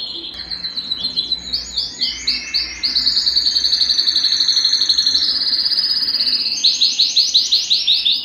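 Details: Canary in full song to encourage mating: varied phrases of swooping whistles, a sustained rapid rolling trill, then loud repeated descending slurred notes.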